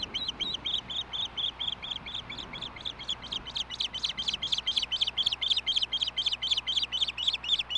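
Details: Osprey on its Montana nest at Hellgate, 20 May 2016, late evening, with a big dinner at the nest; a fast, regular series of sharp, high whistled chirps, several each second, growing louder and harsher toward the end.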